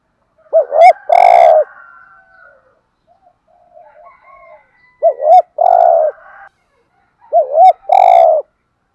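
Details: Decoy spotted dove cooing to lure wild doves. Three loud phrases arrive a few seconds apart, each a quick wavering double note and then a sustained rough coo. Softer low coos can be heard between them.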